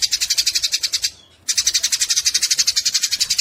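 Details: Harsh, rapid chattering of Eurasian tree sparrows during a fight, quick high notes pulsing about four per second, halted by a short silence after one second, then continuing just as intensely.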